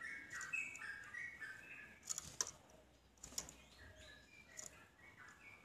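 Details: Yellow-vented bulbul song used to lure other bulbuls into singing along: short bubbly whistled phrases around mid pitch, overlapping and repeated rapidly, with sharp clicks and knocks in the background.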